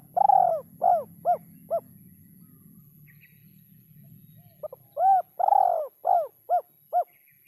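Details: Spotted dove singing an uncommon rhythm: a long coo trailed by three quick shortening coos, a silence of nearly three seconds, then the same phrase repeated, with light low background noise.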